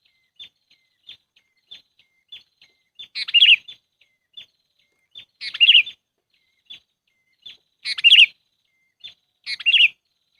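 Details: Sooty-headed bulbul lure sound used for bird trapping: short bubbly chattering phrases roughly every two to three seconds, separated by soft, thin high chips, with no other sounds.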